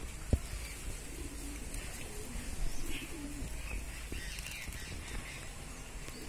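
A Jacobin pigeon gives soft, low, rolling coos in the middle of the clip, set against a steady background hiss and faint chirps.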